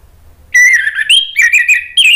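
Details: Orange-headed thrush lure song meant to set other thrushes singing. After half a second of quiet, a loud run of sliding whistled notes begins, with warbled, slurred phrases and a brief pause before a final rising note.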